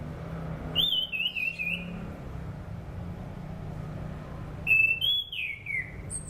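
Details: Orange-banded thrush song, played as a training lure for other birds: two whistled phrases about four seconds apart, each opening high and sliding downward in wavering, linked notes. Steady low hum throughout.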